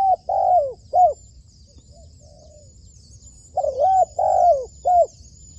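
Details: Spotted dove kept as a trained decoy bird for trapping. It gives two bursts of cooing, each a short note, a longer mellow coo and a clipped final note, separated by a quiet pause. Faint high twittering sounds behind.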